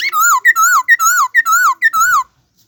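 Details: Bird giving six loud, drawn-out wavering whistles, each preceded by a short clipped note, the series evenly spaced before stopping abruptly into silence.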